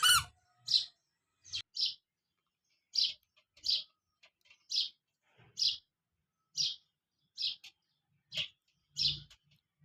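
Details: A single baby chicken from a colourful group gives loud, clear, high peeps spaced roughly a second apart, each a short bright note, in an otherwise quiet setting where the chicks play with a remote car and balloons.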